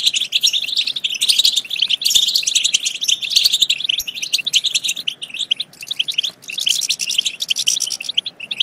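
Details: Prolonged, energetic European goldfinch song intended to excite goldfinches to sing and mate, rich with fast twittering, rattling trills and buzzy notes, dipping briefly before a final dense burst.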